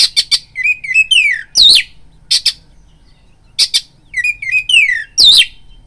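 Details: Oriental magpie-robin (kacer) singing to provoke rival males to fight. It gives clipped sharp notes, then a run of quick descending whistles and slurred phrases ending in a loud squeaky upsweep. The pattern repeats twice.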